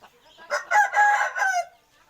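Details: Chicken with a short, harsh crow of about one second: a rising burst, a strained middle, then a falling end. Quiet before and after.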